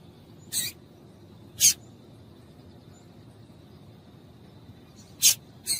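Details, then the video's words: Female Double-collared seedeater calls, played to stir a male into singing: four short, sharp, very high chips at uneven gaps, two close together early and two near the end, over a faint steady high tone and low background hiss. "Piado de Fêmea de Coleiro para Esquentar Coleiro"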